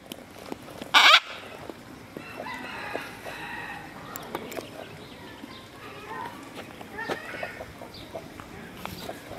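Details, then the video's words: A single sharp, harsh squawk from a green and orange macaw near the start, then quieter twittering of other birds and outdoor background noise. "Green And Orange Macaw Sounds"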